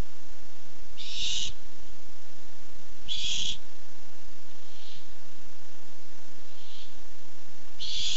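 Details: Wild barn owl looking for food, recorded on 8-7-15. Rasping, breathy screeches about half a second long repeat every two seconds or so. Quieter distant hisses fall in between, over a low steady background hum.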